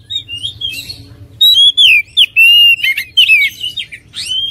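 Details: Oriental magpie-robin song: softer scratchy notes at first, then a loud burst of sweet, fluting whistles with quick bends and short pauses between phrases.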